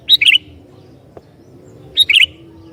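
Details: Two cheerful phrases from a sooty-headed bulbul singing to provoke other bulbuls, about two seconds apart, each a high opening note and a quick rolling chirp pair; a faint click between them and low hum.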